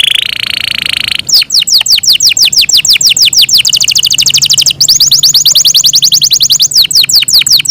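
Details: Caged Yorkshire canary, a small but loud singer, opening with a steady buzzy tone before breaking into fast descending whistled notes and rolling trills that shift in pace and pitch.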